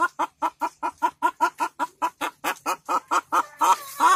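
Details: Laying hen looking for a comfortable nesting place, giving a steady series of sharp clucks, roughly two to three each second, evenly spaced and fairly loud throughout, ending with slightly drawn-out notes.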